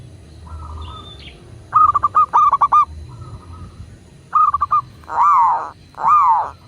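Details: Local Indonesian zebra dove singing, used as a master recording to prompt kept doves to call: quick stuttered notes in bursts, then two long arched coos that rise and fall, over a low background hum.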